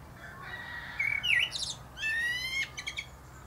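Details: Singing from the top of a plum tree, a Common blackbird delivers a short warbled whistle, then a longer rising fluted note ending in a quick series of thin, high clicks.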